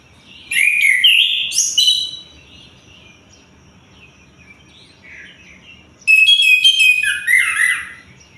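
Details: Orange-headed thrush (anis kembang) singing day and night: loud, varied phrases of sweet whistles and rapid twittering notes, separated by about four seconds of quiet with faint soft calls in between.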